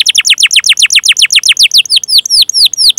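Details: Canary song for coaxing young or silent canaries into song: a quick series of falling whistled notes, then spaced high clear sweeps repeated several times a second.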